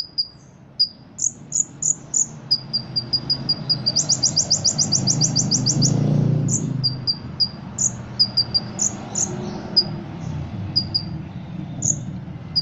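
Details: Song-competition ruby-cheeked sunbird with imitations of cotton cricket and cililin: rapid high ticks, a tight metallic rattle of about fifteen notes, then scattered squeaky chips and short downslurred whistles, while a low rumbling noise swells in the middle.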